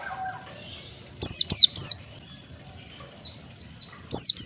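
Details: White-eye recording used to prompt caged birds to sing: three loud, steeply falling high notes in quick succession, then fainter repeated down-slurs and a final bright sweep.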